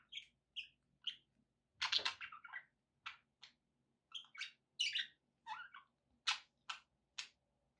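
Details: Pet budgies chirp steadily in short sharp notes, with one louder rasping warble run midway. A faint low hum sits beneath.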